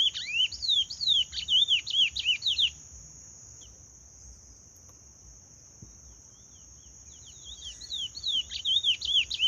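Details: Chestnut-bellied seed finch singing in the Paraense song style: bursts of rapid, sweet warbled and slurred whistles, rising and falling, for about three seconds, a pause, then the phrase resumes, over a steady high-pitched whine.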